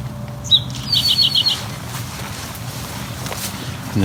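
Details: A distant Wood Thrush in the tallgrass prairie and woods of McMaster Forest, Hamilton, Ontario, sings a short flutey phrase: a clear note, then a quick run of high notes, over a steady low rumble and faint voices.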